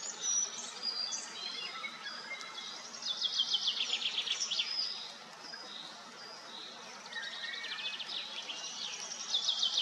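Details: Several common starlings bathing at Kápolnai kobolya in Madocsa, Nikon P1000 recording: continuous busy chatter of squeaks, short whistles and clicking rattles, swelling and fading in waves, with steady hiss beneath.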